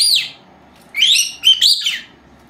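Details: Young female lovebirds, two of them, four months old, chattering at siesta time indoors: one sharp high chirp, a pause, then a quick double burst of scratchy squeaks.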